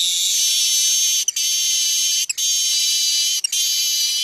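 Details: Streaked weaver giving its 'mbeset' song, a buzzy style used as tutor material for young weavers: long harsh sizzling buzz broken by three very short pauses roughly once a second, steady and loud throughout.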